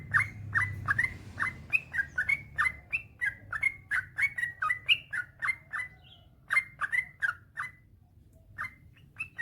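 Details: Long rapid singing of a male yellow-vented bulbul, meant as a master track to trigger silent bulbuls: dense run of sharp chirps with little rising flicks, thinning out with gaps toward the end.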